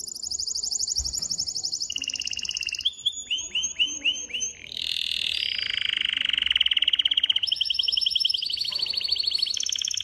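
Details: Excited caged male canary singing to stimulate a female to mate and to teach chicks: shrill high trills, then a run of rising slurred notes near the fourth second, then long buzzy rolls. The rolls shift pitch in steps and continue to the end.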